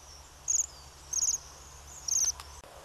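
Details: Bohemian waxwing giving three short, high, thin trilled calls, each a quick buzzy ringing burst spaced about three quarters of a second apart, over quiet low background hiss.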